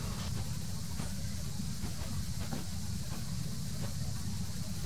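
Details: Strong hissing and rumbling noise, like wind or handling, with faint clicks; no animal voice.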